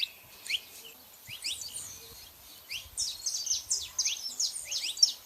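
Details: Saffron finches, female and male, heard fairly softly: high downward-sweeping chirps in loose clusters, becoming busier and louder toward the end, over faint background hiss.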